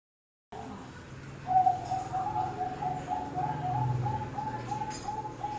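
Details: Zebra dove from a bird farm singing a quick series of short, evenly spaced mid-pitched cooing notes, about four per second, over a low steady hum and faint background noise.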